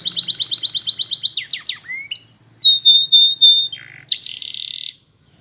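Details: Belgian canary singing a rapid pulsing trill, then rising glides, a long pure steady whistle, and a final buzzy trill before falling silent.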